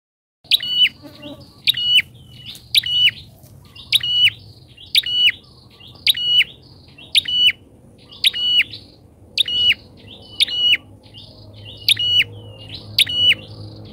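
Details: Bar-winged prinia lure recording, described as very loud and suited for tutoring captive birds. Sharp crackling burst then a steady high whistle, repeated roughly every second, about a dozen times, over faint low background hum.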